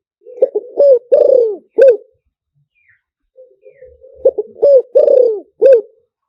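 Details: Decoy song of a spotted dove, lew tan style, used to lure wild doves in quickly: two phrases of low, husky cooing, short clipped notes building to a long drawn coo and a final note, with a quiet pause between.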